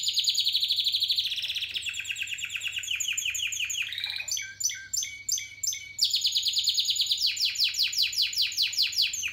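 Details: Spanish Timbrado canary from a 2017 breeding line, singing a long continuous song of rapid metallic trills that shift through several tour types, including a slower chopped bell-like passage midway, with a low steady hum behind.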